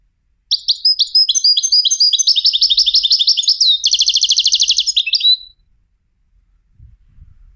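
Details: European goldfinch trained for song competitions singing one continuous five-second phrase of rapid twitters that shifts into a fast buzzy rattle before a final slurred note; quiet afterward with slight low noise.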